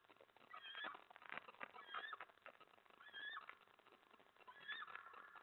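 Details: Eastern screech owl, a male scolded by his mate near 10:47 PM in late February 2017, retreating to his spot by the door. Several quick wavering chitter notes, some bending upward, are heard over a faint hiss.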